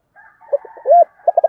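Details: Spotted dove coo, urging style: soft broken notes lead to one loud, rising-then-falling coo, followed by a quick run of short stuttered coos, over a faint higher chattering background.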